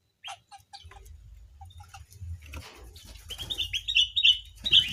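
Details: A caged white-crowned forktail in an aviary: scattered thin ticks at first, then a rising run of bright, high chirps packed closely toward the end, with a low background rumble.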